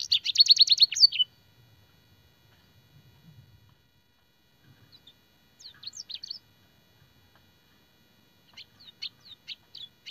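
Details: Canary training song with blackthroat and sanger phrases. A loud, fast rattling trill opens, then mostly quiet with scattered short high chirps and a few brief whistled phrases near the end.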